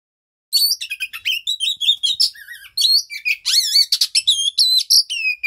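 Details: Oriental magpie-robin in mating song: a rich, continuous stream of high whistles, slurs and sweet chirps, with hardly a pause after a brief silent start, varied phrases tumbling quickly one into the next.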